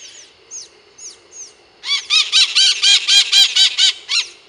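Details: Several scaly-headed parrots (maritacas) calling at an experimental farm in Monte Alegre do Sul, São Paulo, Brazil: a few thin, downslurred squeaks, then a rapid burst of harsh, harmonic, rhythmic screeches repeated about twice per second.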